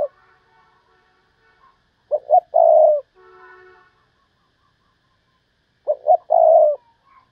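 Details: Spotted dove used as a decoy for luring wild doves, calling 'thúc bổi' style. Two phrases about four seconds apart, each two quick low notes and a drawn-out coo, with faint distant whistled calls between them.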